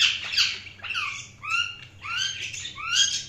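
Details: Budgerigars chirping indoors, giving warbling, rising chirps and scratchy chatter that overlap in a continuous soft stream.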